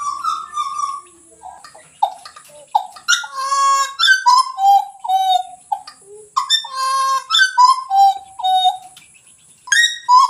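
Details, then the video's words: Pied butcherbird giving a flowing series of clear, bell-like whistles, short notes sliding up and down and repeated in loose phrases, with a faint steady high hiss behind. "burung ini pemilik suara yang khas"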